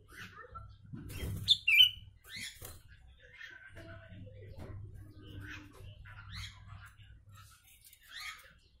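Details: Sooty-headed bulbul with a Javan myna–filled repertoire: two loud whistled notes, followed by scattered chirps and short warbles through several seconds over faint humming background.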